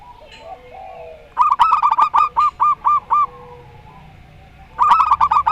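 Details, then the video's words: Zebra dove, a local bird of the Rondo Semoyo song style, giving a fast rolling cluster of coos that slows into about five evenly spaced, clipped notes, followed after a gap by another quick trill. "Perkutut Lokal Rondo Semoyo VS Perkutut Suara Aneh"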